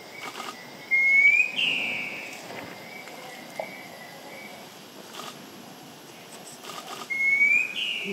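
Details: Marbled wren-babbler, a shy bird in Malaysia, calling very close while being called in, giving two clear, upward-slurred whistles about six seconds apart, with a softer whistle between, over a quiet forest hiss.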